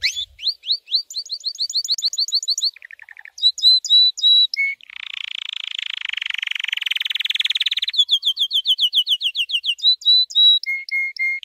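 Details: White canary's training song, rich in changing tours: rising and falling whistles, a low rapid burst, clipped repeated notes, a long buzzy roll, then more whistled series and steady repeated tones.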